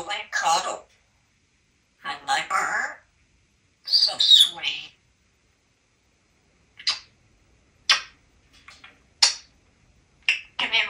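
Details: Male African Grey Parrot kept at home in Texas, perched on the edge of a trash can, talking: short bursts of word-like speech, then a series of sharp kiss-like smacks spaced about a second apart, in a quiet indoor room.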